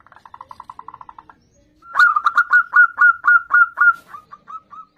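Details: Singing zebra dove: a soft, quick string of faint notes, then a loud, melodious series of clear, curling coos delivered about four a second and fading toward the end.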